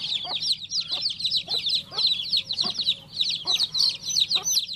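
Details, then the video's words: Baby chick peeping loudly and quickly, dense high descending notes throughout, with regular soft thuds or taps underneath and a low background hum. "Cutest baby chick chirping sound"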